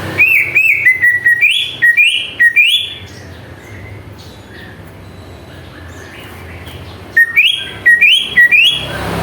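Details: Greater green leafbird song used as a lure to provoke other birds: loud, clear whistled notes sliding upward come in rapid repeated phrases. A quieter gap follows in the middle, then the ringing upslurred whistles return.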